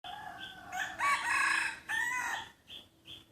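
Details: Free-range chickens belonging to a neighbour: a loud harmonic crow-like call with rising and falling tones, broken into several strong bursts, with short high chirps repeating in the background.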